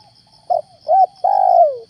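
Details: Spotted dove, locally called tekukur or derkuku, heard in the morning during bird trapping with a decoy dove, in a stuttering style: two short low coos, then a long drawn-out falling coo, over steady high insect chirping.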